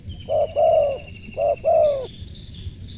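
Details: Two crisp cooing phrases from a spotted dove, each a quick short note followed by a long, smooth, slightly descending coo. A faint high chirping of other birds comes afterwards.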